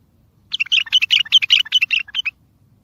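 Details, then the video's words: Loud bulbul song played to lure other bulbuls and prompt quiet ones to sing: a brisk, bubbling string of clear chirps and short warbles lasting nearly two seconds, with faint low hum beneath. "اصوات بلابل تغريد بلبل قوي ينطق الاخرس كذلك للصيد البلابل الاخرى يجيب البلابل البعيده"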